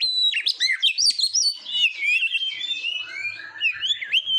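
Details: Oriental magpie-robin, a competition-trained songbird from Indonesia, delivering a dense, continuous song of rapid whistled slurs, trills and buzzy sweeps at high pitch, loud throughout with brief dips, a faint low hum in the background.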